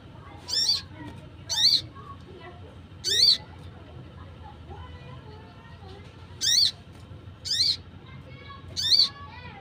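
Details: Wild Crimson Sunbird uttering repeated lure-worthy calls: six piercing high chips in two loose groups of three, each note short and buzzy, a quieter gap in the middle, faint low hum throughout.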